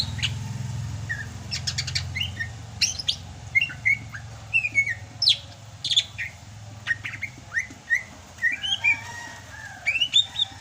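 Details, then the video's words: Sumatran greater green leafbird in lively song despite the rainy season: varied whistled notes and short slurs repeated about once a second, mixed with sharp clicks, over a low background hum. "MUSIM HUJAN CUCAK HIJAU SUMATRA MASIH BISA GACOR"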